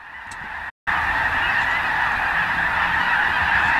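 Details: Massive wintering flock of snow geese, over 50,000 birds, near Sacramento, California, taking off together: a dense, unbroken roar of overlapping honks filling the mid range, briefly interrupted by a short silent gap near the start.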